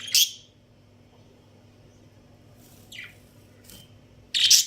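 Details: Breeding pair of budgerigars giving a bright chirp at the start, a soft downward note midway, a faint short whistle, then a loud harsh burst at the end.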